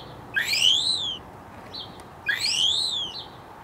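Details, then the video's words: Common starling giving its mating call very close to the microphone, so near it pecked the lens; two drawn-out, slurred whistles rising then falling, about two seconds apart, over a steady background hiss. "Starling Mating Call up close"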